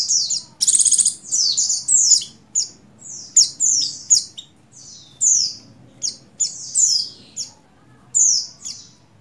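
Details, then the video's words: Female Oriental white-eye, race buxtoni, in breeding condition calls a male: a brief buzzy rattle opens a long series of high, quick downslurred chirps in irregular clusters. "Begini Call Burung Pleci Betina Birahi Memanggil Jantan Merangsang Buxtoni Gacor"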